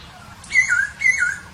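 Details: Masked laughingthrush in the wild: a pair of bright whistles, each with a short high start that drops into a lower slurred tail, spaced roughly half a second apart.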